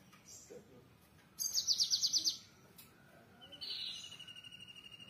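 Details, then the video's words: Java sparrow giving high, bell-like notes: a quick burst of clipped chips, then a rising ringing phrase trailing into a fast series of thin, even pips. "suara burung gelatik wingko"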